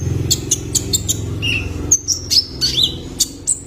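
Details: Young male Kolibri Ninja sunbird used to stimulate caged birds: rapid high twittering notes, then slurred whistles rising and falling, with low droning background noise early on.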